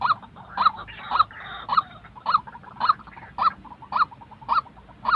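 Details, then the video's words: Real white-breasted waterhen call used to train decoy birds for trapping; rhythmic harsh rising notes every half second, with softer clucking notes between them early on. "tiếng chim quốc thật"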